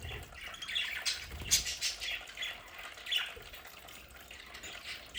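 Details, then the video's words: Squawking budgerigars in a home play area give scratchy calls and quick chirps in uneven bursts, quieter in the middle. "Sonidos de budgies para Budgies en casa"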